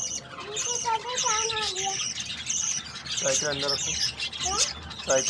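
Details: Budgerigar; begging calls; hungry chicks begging while being fed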